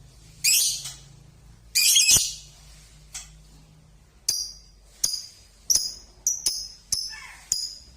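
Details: Six-month-old Balibu Pasjo lovebird making two harsh buzzy bursts followed by a string of sharp high chirps, about eight in quick succession.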